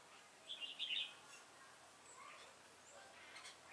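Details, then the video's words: Red-whiskered bulbul used as a decoy during a fight-trapping session on 26 September 2017 in Vietnam: one short, bright warbled phrase bursts out early, followed by a few faint, scattered notes over quiet background hiss. "bẫy đấu Chào mào Xòe mềm"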